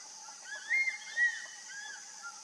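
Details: A crested serpent eagle calls in December 2019 at Rajaji National Park, perched out of sight with the sound arriving from another side: clear, ringing whistled notes, two louder ones then softer slurred arcs, over a steady high insect hiss.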